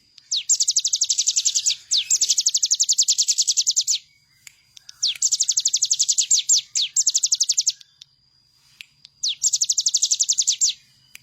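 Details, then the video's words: Bar-winged prinia in full, lively song, kept as a training master for other birds: three long bursts of rapid, high, metallic repeated notes, each several seconds long, separated by short silences; a soft low hum in the background. "Ciblek gunung gacor full bren..cocok buat masteran burung bahan agar ikut bunyi."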